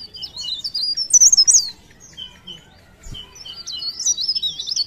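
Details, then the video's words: Leaf warbler (cikrak daun) from Pare Pare, sung energetically: high, squeaky, rapidly warbled phrases, a brief lull with a few thin single notes and a soft knock, then another quick twittering burst. "CIKRAK DAUN | PARE PARE | BLERENG GACOR❗"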